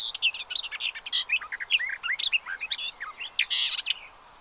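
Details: Pied avocets with chicks at the Séné nature reserve, Gulf of Morbihan, France, 30 April 2023: busy overlapping calls of short clear whistles and loud sharp chirps that fade out near the end.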